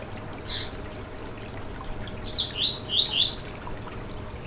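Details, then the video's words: Yellow-bellied seedeater (coleiro baiano) singing to stimulate a kept bird: a lone soft note, silence, then a brisk chain of dipping whistles climbing into a loud high trilled close. "Canto para foguear e esquentar seu COLEIRO BAIANO - 2022 - Piado e Canto"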